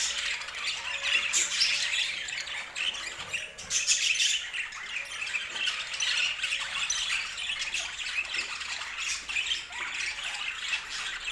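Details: A group of budgerigars keeps up constant chatter: overlapping chirps, clicks and harsh squawks in a continuous stream, with small surges of louder calls every few seconds.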